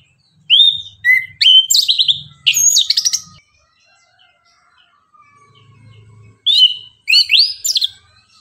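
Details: In the morning, an orange-headed thrush sings rich, varied phrases of clear rising whistles and rapid trills, in two bursts separated by a pause, with a faint low hum; used as a lure to provoke singing.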